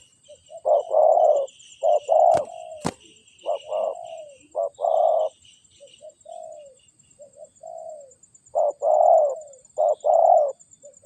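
A spotted dove gives soft, low, hollow coos in short grouped phrases over a steady high insect hum, with two sharp clicks early on.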